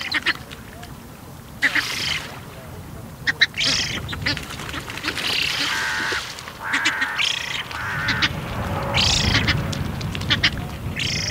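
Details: A young Eurasian spoonbill begging for food at Bislicher Insel, 12 September 2021, 15:35, gives harsh, wheezy, nasal bursts, about a dozen in eleven seconds, over a low wind rumble; Eurasian spoonbill.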